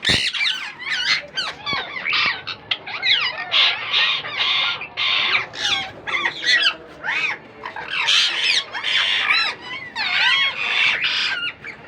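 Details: Newly hatched Indian ringneck parakeet chicks from a young pair's first breeding, calling noisily: dense overlapping raspy, wavering squeaks and chirps, rising and falling, nearly continuous throughout.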